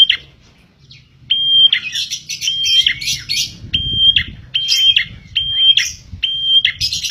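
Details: Prenjak tilek (prinia) in lively song, suited to attracting birds. Steady whistled tones, each cut off by a rough downward flourish, alternate with dense buzzy chatter throughout, over a low background rumble.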